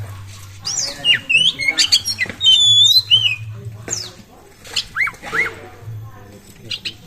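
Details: Oriental magpie-robin singing busily as a lure to make other birds sing: rich whistled phrases, some sliding up and down, mixed with harsher squawky notes and short pauses, over a steady low hum.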